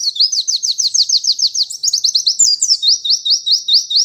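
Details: White-eye singing in a fast, high, ringing series of short slurred notes, about eight to nine per second, shifting pitch partway through and continuing steadily without pause; no other clear sounds.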